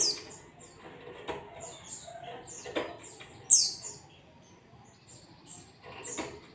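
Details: White-eye, 'ngalas' style lure song for caged birds: a loose string of brief high, thin tweets with one louder squeaky burst past the middle, set against faint clicks and soft rustles.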